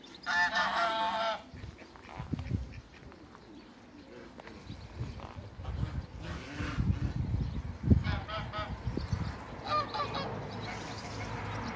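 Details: Mature pair of African geese in a backyard: loud nasal honks open the recording and return near the end, with low rumbling and knocking noises in between.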